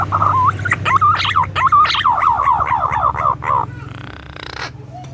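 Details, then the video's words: Adult green pigeon calling: a run of wavering, fluty whistles with quick upward flicks, about a dozen notes in three and a half seconds, then a brief hiss-like burst and a steady low hum underneath. "Suara Burung Punai Dewasa"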